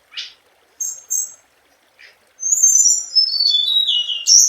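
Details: Scarlet minivet song: a few short high chirps, then a long run of thin whistled notes that slide downward in steps, ending on a sharp rising note.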